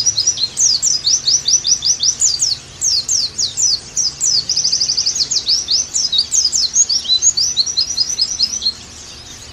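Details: Pleci, the Oriental white-eye, in a therapy recording for kept birds: a continuous high, sweet twitter of quick slurred chirps, broken by two brief gaps, over faint low background hiss.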